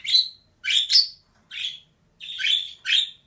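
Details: Close, loud calls from a pet female budgerigar: a burst of five or six grating, buzzy chirps, some doubled in quick succession, in a quiet setting.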